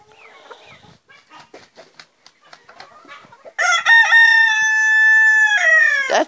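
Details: A rooster kept apart from the hens, which it goes to visit every day. Soft clucks and scattered calls come first, then a loud, long, harmonic crow of about two and a half seconds, held steady before dropping at the end.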